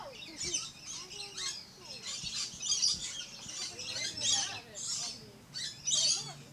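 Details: Dense run of shrill, grating screeches from a red-collared lorikeet, bursts coming roughly every second or two with softer chatter between them.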